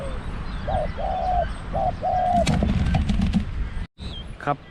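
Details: Spotted dove used as a decoy to lure wild doves to a trap in Thailand: one three-part cooing phrase, a short note, a longer drawn coo and a clipped end, then rustling, knocks and brief handling noise.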